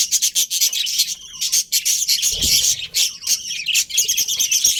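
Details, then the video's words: Breeding colony of budgerigars: quick, high chirps in rapid pulses, packed into a busy stream of warbling chatter with a short low rustle midway. "Colourful Budgies Chirping Sounds"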